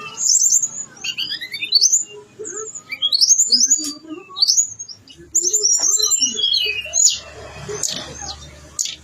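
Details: Gacor song of the blue-winged leafbird (tledekan gunung) packed with isian: repeated high, upslurred whistles and lower warbled notes in quick varied phrases, with a few sharp clicks near the end.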